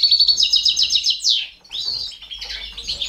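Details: Captive Balkan goldfinch (Carduelis balcanica) feeding four baby canaries; high, rapid chick begging chirps in fast regular bursts, then a sharp falling note and more scratchy twittering.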